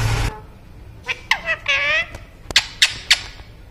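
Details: A pet Indian ringneck (rose-ringed) parakeet that keeps shouting "mummy roti de" (mummy, give bread) shrills mimicked words in a nasal, high-pitched run of syllables, then three sharp, clipped notes, after a brief thump.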